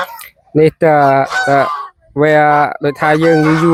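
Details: Geese at evening feeding on a village farm, fed chopped banana stem with rice bran: clear, evenly pitched honks in short groups, two bouts separated by a pause of about a second.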